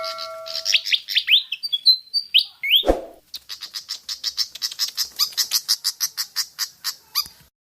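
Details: Javan pied fantail song used to lure birds into singing: clear downslurred whistles at first, a thump, then a long fast series of evenly repeated high chirps lasting about four seconds.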